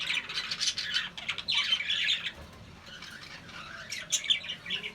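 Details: Budgerigars, including a black-faced budgie, on October 21, 2025, chatter with busy, scratchy warbles and sharp chirps, several birds overlapping.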